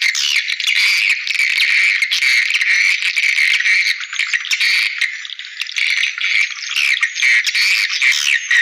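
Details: A dense, unbroken chorus of swiftlets used as a call to lure swiftlets: many overlapping high, buzzy chirps and rattling twitters, with no pause across the whole stretch.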